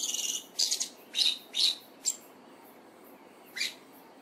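Olive thrush giving thin, high, sharp notes, about five in four seconds at an uneven pace, with a brief buzzy flutter at the start; otherwise quiet.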